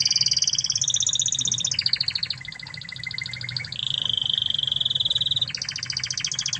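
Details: Spanish Timbrado canary from Spain singing a master song: rapid rattling trills held as steady tours, stepping between high and lower pitches, with a long level pure trill midway and a low steady hum underneath.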